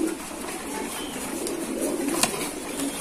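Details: A short stretch of soft, low cooing from domestic pigeons kept by a keeper, with one sharp tap.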